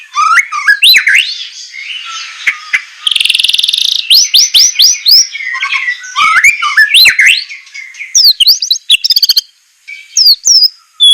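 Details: White-rumped shama song used to train captive birds, semelet style with harsh shot-like notes: rich swooping whistles, a short buzzy trill, series of rapid rising notes and sharp clipped calls.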